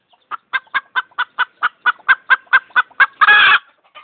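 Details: Chicken clucking and screeching: a steady run of about fourteen sharp clucks, roughly four per second, ending in one loud raspy screech.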